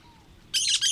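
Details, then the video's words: Single harsh, raspy screech of a cactus parakeet cutting in after a faint thin whistle. "CANTO do PERIQUITO-DA-CAATINGA"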